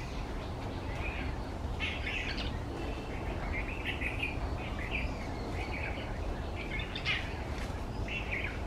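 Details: Feeding on berries in banyan and neem trees at an office complex, a white-browed bulbul utters loose series of brisk, chattering notes, some sharper bursts, over steady low-pitched ambient noise.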